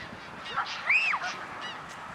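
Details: Greylag goose at Anna Paulowna, Holland, 9 April 2011: one loud arching nasal honk near one second, with fainter goose calls before and after.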